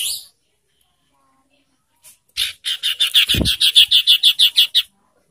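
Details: Ashy tailorbird lure call, used to provoke and stimulate birds in breeding condition into singing: after a short high burst and a pause, about a dozen buzzy, high, even notes come in a fast regular run, roughly three per second.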